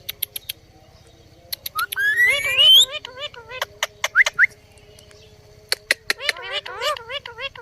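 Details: Talking Indian ringneck parrot on a table: a long rising whistled slide, harsh voice-like phrases with stacked tones, short upslurred whistles and many sharp clicks, with a low hum throughout.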